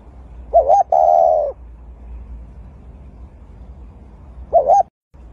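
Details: Nesting dove with its egg gives a two-part coo: a brief warbling note running into a sustained, even, mid-pitched tone, followed seconds later by a cut-off opening note; a faint low rumble underneath.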